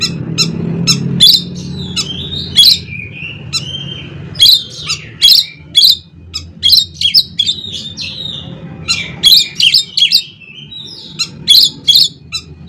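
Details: Oriental magpie-robin (kacer) song, played to make others sing: repeated bursts of loud harsh notes mixed with quick varied chirps and short whistles, in clustered phrases with brief pauses, low hum beneath.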